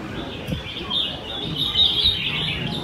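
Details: Caged red-whiskered bulbuls at a Quy Nhơn singing contest on the morning of 21 June 2020 deliver a continuous ribbon of high, clear warbled notes and chirps, with faint crowd noise underneath.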